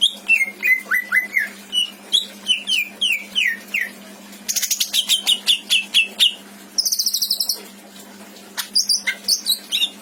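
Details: Captive greater green leafbird in Indramayu, valued for its many imitated phrases and used as a tutor bird, sings continuously: falling whistles, rapid repeated chips, a high trill, then quick twittering notes.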